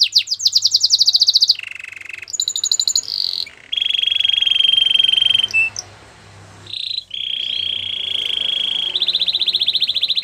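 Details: Belgian canary song with fast high trills, sustained rolling tours at differing pitches and brief pauses between phrases, loud and clear.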